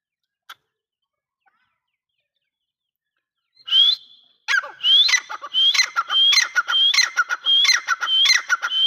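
After a quiet start, a grey francolin gives loud, harsh, rising phrases, repeated about twice a second in a ringing series.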